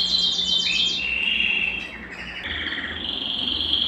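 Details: A Belgian canary sings to warm up males and bring females into breeding condition, opening with a fast rattling trill that slides into a lower, smooth rolling trill held to the end.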